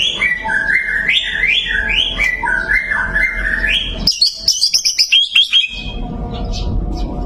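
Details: Murai batu, the white-rumped shama, sings a series of rising and falling whistled phrases in a steady pattern, then a burst of loud, sharp, high staccato notes, with a low background rumble.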